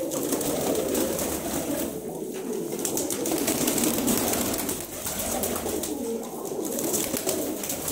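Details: Good-breed pigeons kept as a lot for sale, guaranteed to have been flown; several birds give low, overlapping cooing in a steady murmur, with scattered clicks, wing rustles and light background noise throughout.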